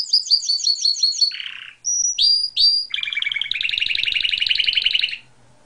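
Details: Canary song of quick descending chirps, a harsh buzz, short clear whistles, then a long fast rolling trill that ends abruptly.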